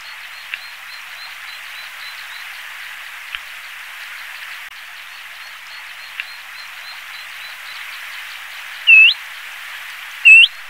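A Bluethroat gives a faint, steady run of high ticking notes, then two loud, clear whistles that dip and rise near the end.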